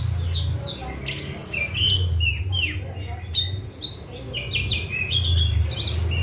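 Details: Oriental magpie-robin in full song, a kept bird fed seven crickets with routine morning and evening baths: rich varied whistles, downward slurs and rapid chirped phrases flowing continuously over a low background rumble.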